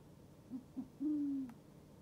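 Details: A captive northern white-faced owl gives a territorial call after a hawk owl took over its perch: two short, low stuttered notes, then a longer mellow hoot sagging slightly at the end, in quiet.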